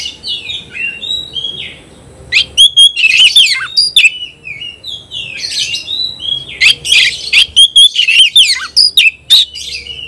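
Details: Oriental magpie-robin in 'konslet' fighting song toward a rival: soft varied whistles at first, then from about three seconds loud rapid bursts of sharp chirps, buzzy rasps and repeated bright whistled notes.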